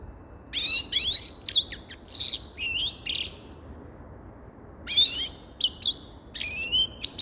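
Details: Grey-crowned goldfinch song of lively twittered phrases, bright chirps and buzzy slurs, interrupted by a silence of almost two seconds before resuming.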